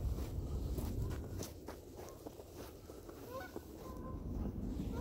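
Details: Canada geese flying overhead near the Minneapolis airport in the Mississippi River valley during an April 14, 2018 spring snowstorm give a few faint, nasal honks, mostly toward the end, under a steady low rumble of wind.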